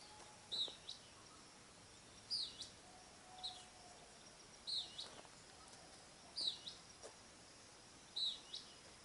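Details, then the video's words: Greenish elaenia, a bird of discreet habits, giving short, high, sharp call notes roughly every two seconds, with faint background hiss. "Greenish Elaenia"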